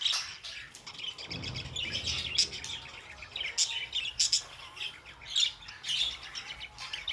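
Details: Pet budgerigars chattering: dense, rapid high chirps and warbles overlapping almost continuously, with brief brighter squeaks standing out every second or so.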